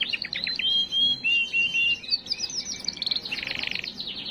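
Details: Canary song used to stimulate hens: a series of long pure whistles stepping downward, then a quick rhythmic trill of repeated notes speeding into a dense buzzy roll.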